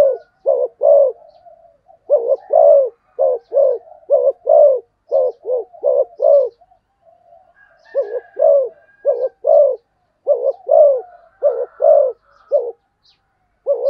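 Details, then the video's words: Sustained fast cooing by a spotted dove: a quick, steady stream of low hollow coos in pairs and triplets over fourteen seconds, with only brief pauses and faint soft notes between phrases. "cu gáy thúc gù tốc độ"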